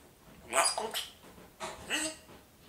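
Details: Talking parrot imitating the German comedian Kaya Yanar, saying the catchphrase "Was guckst du" in a raspy, human-like voice, in two short bursts of syllables.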